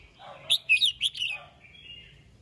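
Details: Red-whiskered bulbul singing in the morning, calling the flock: a rapid cluster of three or four loud, ringing chirps trailing into a soft drawn-out whistle.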